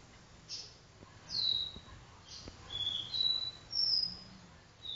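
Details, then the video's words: Do-re-mi vibrasom song of a copper seedeater kept indoors in a living room: a series of thin, high, sharply slurred whistles with short gaps, set against steady room hiss. "caboclinho do-re-mi vibrasom cantando na sala"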